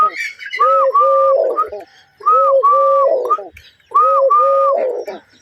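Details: A dove (dhoil ghughu) coos in soft, mellow three-note phrases in rhythm with finger taps. Each phrase lasts under two seconds and repeats three times with brief pauses, and a man speaks afterward.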